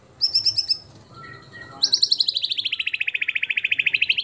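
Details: White-rumped shama 'tembakan' shot with mimicked fill-in: a few quick high notes, soft lower whistles, then a long fast rattling trill of evenly spaced notes slowly falling in pitch.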